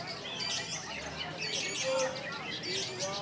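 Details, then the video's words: Lovebird in konslet song, described as clear and long: a short burst of crowded, scratchy high chirps and trills running together continuously. "KICAUAN LOVE BIRD KONSLET RUN MAN GACOR ‼️ JERNIH DAN PANJANG ‼️"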